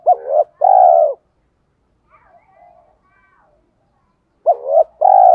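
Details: Spotted dove in the 'thổ pha đồng' song style, cooing to stir wild doves to answer: two low hooting phrases about four seconds apart. Each is a clipped rising note followed by a long sustained coo, with faint quiet sounds between.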